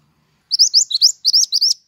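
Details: Pied triller singing actively, used to lure birds and tutor songbirds: two quick phrases of four to five sharp, rising high notes each, clean and close, with almost no background.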